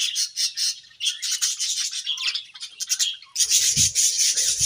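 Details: Chirping budgerigars in breeding season: fast, rhythmic pulses of scratchy high chatter, then a louder, denser burst of squawky warbling over low thuds in the final second and a half.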